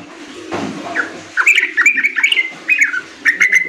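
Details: A young yellow-vented bulbul gives bubbly, gurgling phrases of quick liquid notes in short bursts, repeated about every second, over faint low background noise.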